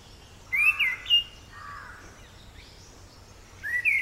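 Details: Orange-headed thrush, also called black-eared ground thrush, heard as short clear whistled phrases of two to three slurred notes with high thin overtones, one phrase early and another near the end, quiet background between.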